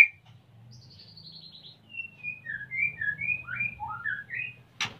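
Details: A male white-rumped shama in breeding condition, wanting to mate while the female nests, captive in Salaman, Magelang, Central Java: a high descending trill followed by a string of varied short whistles, over a low background hum, ending with a click.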